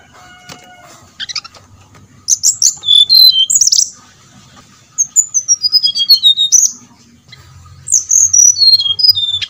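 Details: Brown-chested jungle flycatcher song played as a lure to trigger singing in kept birds: after faint notes, three bursts of quick high whistles, each tumbling down the scale in sweet, slurred steps.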